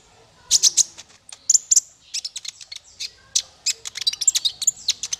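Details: Male konin (kolibri ninja) sunbird song used for tutoring songbirds: dense run of high, thin, squeaky chirps and brief trills, fast and irregular, with no other sounds.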